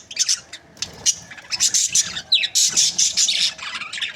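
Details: Budgerigar breeding pairs giving bright, high, scratchy chirps and short squawks in quick bursts, with one clear downward-sweeping note near the middle and brief pauses between flurries.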